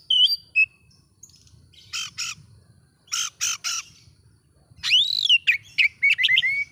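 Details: Song of an oriental magpie-robin meant to provoke other magpie-robins: a few high whistles, harsh raspy squawks in pairs and threes, then a loud arched whistle and quick repeated whistled phrases.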